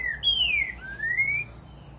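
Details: Short passage of Green-winged Saltator, known in Brazil as trinca-ferro: a long whistle sliding downward, then a smooth rising whistle, over low background rumble.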